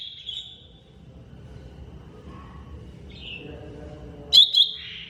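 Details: Greater green leafbird, mini type, on a training track: a thin high whistle, a long quiet gap, a short slurred note, then a sharp doubled chip drawn into a sustained whistle.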